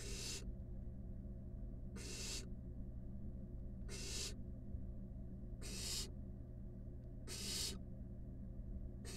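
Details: Five wild barn owl nestlings huddled together in a monitored nest box: long rasping hisses, each about half a second, repeated roughly every one and a half to two seconds over a steady low hum.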